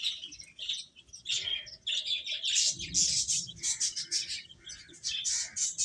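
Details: Several chicks chirping while eating: dense, overlapping high-pitched peeps and short tweets, irregular and continuous, with faint low rustling beneath.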